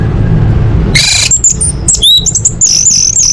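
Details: Orange-headed thrush song recorded for training kept birds: after a low rumble, a harsh buzzy burst leads into very high, thin, sliding whistles and quick twittering notes.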